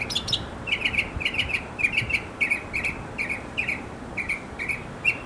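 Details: A backyard mockingbird sings to win a female, giving a long run of short buzzy chirps, roughly three per second, with little pause between them.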